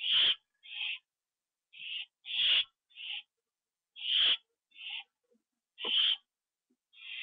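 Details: On a September 2011 evening, two owls come back to a nest under a live camera. Grating hiss-like screeches alternate loud and softer, roughly one every second.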